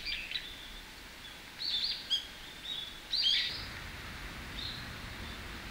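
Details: A Varied Tit in a park in Japan in winter gives thin, high chirping notes in two short bursts, with a faint high hiss and low background rumble.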